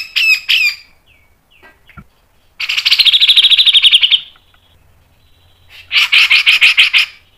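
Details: Cucak jenggot, the grey-cheeked bulbul, in a lure recording for caged birds. Two long rapid buzzy chattering trills, each about one and a half seconds, are separated by short scattered notes and silence.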